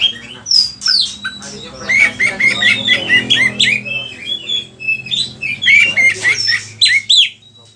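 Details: Oriental magpie-robin in full song, a training lure for other kacer: busy stream of varied whistles, sharp downslurs and squawky mimic-like notes in rapid, uneven phrases.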